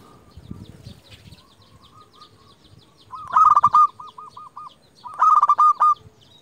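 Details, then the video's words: Zebra dove, a local bird used as a lure that calls rivals, gives faint drawn coos, then two loud bursts of rapid staccato notes, each trailing into a string of soft, evenly spaced rolling coos. "Perkutut lokal gacor JUARA Pikat terbaik paling jago memanggil lawan"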